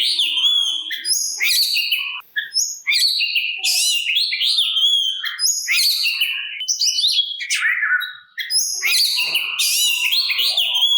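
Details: Singing kacer, or Oriental magpie-robin, used to provoke rival birds to respond; fast varied medley of clear whistles, rising slurs, rattling trills and scratchy notes, running nearly unbroken with two brief pauses.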